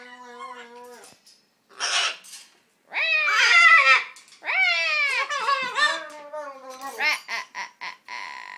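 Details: Macaw at its attempt at mimicking speech, described as very fuzzy; a steady nasal tone, a brief rasp, then several hoarse, bending syllables and short chattering notes.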